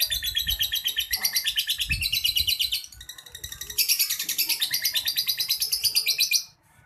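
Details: Ngekek-style song from a champion lovebird: a fast, unbroken stream of shrill, buzzy repeated notes. It dips briefly midway, then surges louder and higher before stopping abruptly, with faint low thumps underneath.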